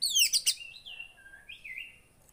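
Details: Javan white-eye song meant to stir a quiet caged bird into singing: a few rapid, very high descending twitters followed by thinner drawn-out whistled notes, with soft background hiss.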